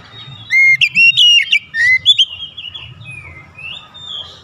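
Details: Kacer, the oriental magpie-robin, singing a challenge at a rival bird: a rapid run of bright slurred whistles and quick upswept notes in the first two seconds, then quieter wavering phrases, with a low background hum.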